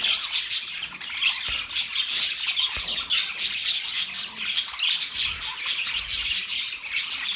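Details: Budgerigars chirp and warble continuously, a crowded high twittering with harsher squawky accents and a few thin whistles toward the end.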